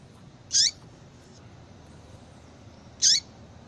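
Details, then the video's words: Female yellow-bellied seedeater call meant to bring a male into breeding condition: two loud, scratchy high notes about two and a half seconds apart, a faint note between, steady background hiss. "fêmea de coleiro baiano chamando Muito Para Esquentar coleiro baiano"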